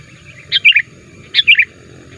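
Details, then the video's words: Sooty-headed bulbul calling to lure wild bulbuls: two identical bubbly three-note phrases, each falling in pitch, about a second apart, over faint low background hum. "pikat BURUNG KUTILANG Terbaik di akhir thn ini aktif menekan lawan"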